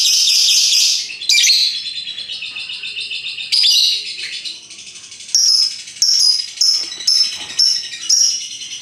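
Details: Lovebirds of many colours, a hook-billed parrot, giving the lively 'ngekek' song: long bursts of shrill, rapid chattering and squeaky trills, followed by a run of short, sharp, repeated high chirp phrases.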